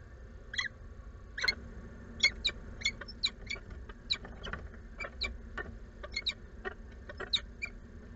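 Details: Female peregrine falcon at a nest box in Włocławek, Poland, on 6 April 2022 in the afternoon, calling repeatedly for her mate, who does not appear. Sharp, short call notes repeated irregularly about twice a second over low background hum.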